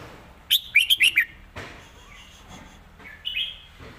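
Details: Red-whiskered bulbul song in a clearly phrased master style with stressed notes: a rapid run of five rich, bubbling whistles, then softer scattered chirps and a brief, slurred phrase.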